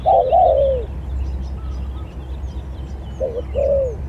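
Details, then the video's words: Spotted dove singing as a lure in a singing competition; two coo phrases, each a short note followed by a longer falling note, separated by a quiet gap with low background rumble. "ADU SKIL#PIKAT SIGAGAP#SAMPAI#JERGOT#BURUNG BAGUS"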